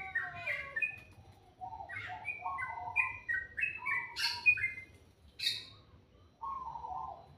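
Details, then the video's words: Morning birdsong of clipped whistled notes in short groups, falling and rising between two pitch levels, punctuated by a few sharp high chips, ending on a lower whistled phrase. "Suara burung dipagi hari sangat merdu"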